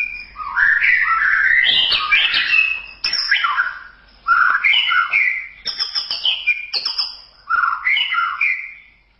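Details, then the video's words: White-rumped shama singing in a masteran tutor recording, with rich, varied, loud phrases of fluty whistles and quick chattering notes in bursts separated by short gaps. "Masteran Suara Murai Batu"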